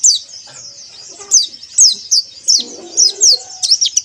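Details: White-eye song played to encourage caged birds to sing: thin, high descending whistled slurs given in quick bursts, several per second in places, with faint low rustling beneath.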